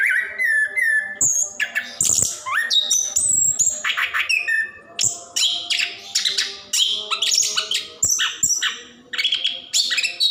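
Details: Plontang orange-headed thrush singing gacor ngerol, used as a prompt for caged birds slow to sing; opens with repeated clear whistled notes, then shifts into a rapid jumble of varied high chirps, trills and buzzy phrases.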